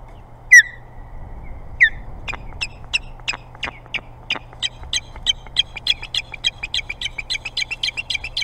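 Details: Ospreys in an altercation over a much-wanted nest at the Boathouse, Hog Island, Maine. Two sharp whistles open the sequence. A long series of short, piercing chirps follows, speeding up into a steady, rapid run.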